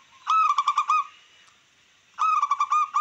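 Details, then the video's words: Local wild-type zebra dove song used to stir rivals and raise breeding drive: two bursts of rapid, staccato cooing notes with a ringing, harmonic tone, about six beats each, separated by a short pause. "Perkutut lokal alam,langsung respon cepat untuk merangsang dan emosi lawan makin meningkat"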